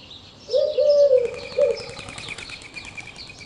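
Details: Eurasian collared dove giving a low, hollow cooing phrase of a long note and a shorter final coo, with thin high chirps from other small birds in the background.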